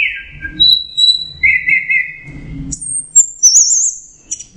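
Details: Orange-headed thrush, known locally as anis merah, in loud, clear 'teler' style song: long whistled phrases sliding from high to mid pitch, then thin very high trilled notes, over a low background hum.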